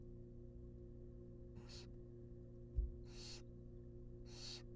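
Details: Wild barn owl nestlings being fed a rabbit inside a nest box: three breathy, rasping hisses growing louder, a soft knock between the first and second, and a constant low hum throughout.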